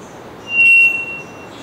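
A three-wattled bellbird gives one pure, steady, high whistled note lasting about half a second, over a soft background hiss.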